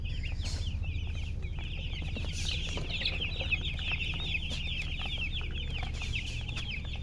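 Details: A group of baby chicks cheeping, a continuous stream of small falling peeps, some brighter bursts near the middle, with an unbroken low droning hum underneath.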